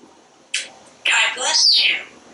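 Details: Parrot chattering from a screened back porch as it watches squirrels and birds. A short sharp burst is followed by a raspy, high, speech-like phrase over a faint background hiss.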